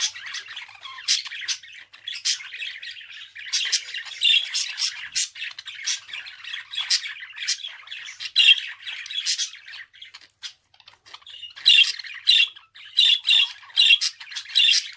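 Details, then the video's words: Budgerigar chattering for fifteen seconds: continuous scratchy warbles mixed with sharp clicks and squeaks, ending in louder squawk bursts repeated about every half second. "Kuş sesi - Muhabbet Kuşu"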